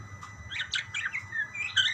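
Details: Budgerigars answering one another with a quick run of warbled chirps and twittering notes, rising and falling, fairly continuous over two seconds.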